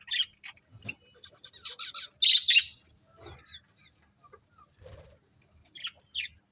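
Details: Sparse high chirps and squeaks from a happy budgerigar colony, coming in separate short bursts with quiet gaps between them.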